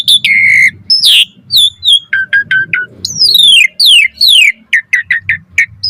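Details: Asian pied starling in full song for training other starlings: a sustained whistle, harsh squawky bursts, a series of short repeated notes and several long downward-sliding whistles, with faint low background hum.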